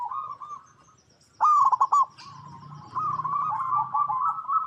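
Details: Local perkutut (zebra dove) in natural habitat, meant to prompt other zebra doves to answer: a short loud burst of stuttering coo notes, then a long, softer wavering trill running continuously to the end.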